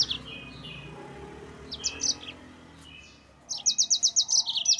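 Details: Yellow-fronted canary song used as a provocation for rivals: soft whistled notes and a chirped phrase, then a loud, fast trill of evenly repeated high notes.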